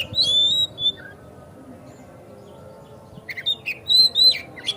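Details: Oriental magpie-robin song used as a lure to provoke another bird into singing and opening its tail: a clear high whistled phrase, a short pause, then a burst of varied sharp whistles and chattering notes.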